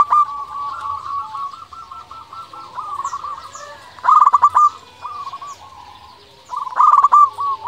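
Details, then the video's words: Local zebra dove in full voice, used as a lure to make rival doves answer and to raise their drive: soft low coos run into rapid stuttering phrases, two louder bursts near the end, faint higher chirps behind. "Perkutut lokal gacor suara paling di sukai perkutut sekali dengar bikin lawan langsung nyaut"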